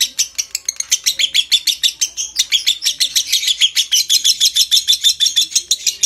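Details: Lovebird's extended 'konslet ngekek' chatter, meant to stimulate breeding condition; a rapid, piercing stream of repeated notes with a brief dip in intensity before resuming just as fast.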